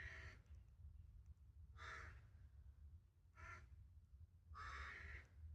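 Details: Carrion crow uttering four loud, harsh caws at irregular intervals of roughly one to one and a half seconds, the last one longer and drawn out, against low background rumble.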